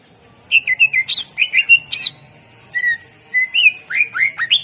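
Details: Greater green leafbird, a bird kept to lure other birds into singing, gives a lively run of whistled and chattering notes, mostly high and slurred, in two bursts split by a short pause.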